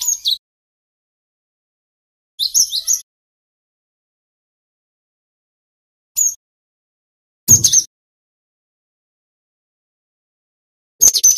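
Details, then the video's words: Female cinereous tit calls used as a lure to draw replies from males: five brief, very high, scratchy chattering bursts separated by silences of two to four seconds, one with a low thump. "Suara Burung Gelatik Batu Betina PIKAT"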